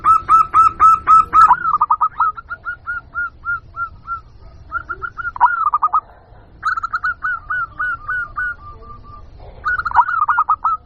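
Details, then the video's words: Zebra dove, a local bird, in a lure recording meant to draw wild doves into answering: rapid runs of short, soft, mid-pitched cooing notes repeated about four per second in several bursts, with brief pauses between runs. "Suara Pikat Burung Jitu Perkutut Jamin Nyaut Kutut Lokal"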